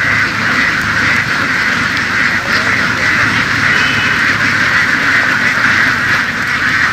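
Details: A herded flock of laying ducks in the fields of the western region, a constant, buzzy babble of many quacking birds, with a faint low motor drone underneath.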